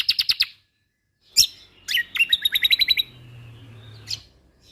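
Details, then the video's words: White-eye from Lombok on a songbird training recording, singing lively. A quick series of sharp, high trilled notes, a pause, then scratchy slurred notes and another rapid, even run of high chips, ending with one buzzy note. "Masteran Burung Kecial Kombok Lombok Gacor Full Tembakan Mewah"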